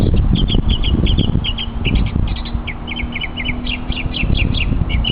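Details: Mockingbird showing off its vocal talents on a hiking trip, singing rapid repeated chirped phrases, varied notes in quick series, over steady low rumbling background noise.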